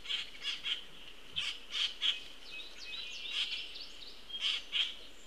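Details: Begging juvenile Common Grackle fed by a parent, 22 June 2018, repeating harsh broadband squawks in small groups of two or three, with a faint steady hiss throughout.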